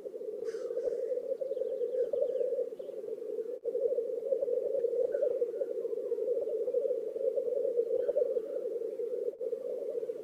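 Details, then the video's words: Black grouse males lekking in a swamp in Oulu, Finland, on 5 May, during their courtship parade: a steady, dense bubbling chorus of low cooing, with faint higher hissing notes and a brief high trill early on. "Black grouses lekking / la parade du Tétras-Lyre / Teeret soitimella"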